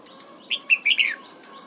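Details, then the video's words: Red-whiskered bulbul being trained in the morning to sing its double-note wild-style song: one short, loud phrase of four bright, warbling whistled notes, the last one slurring downward, over a quiet background. "Luyện giọng chào mào hót sáng, ép chào mào hót âm kép già rừng hay tuyệt!"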